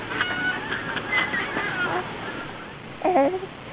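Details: Geese flying south as winter comes on, at Another Place: a few short, harsh honks cluster near the end after a quieter stretch, over steady broadband hiss.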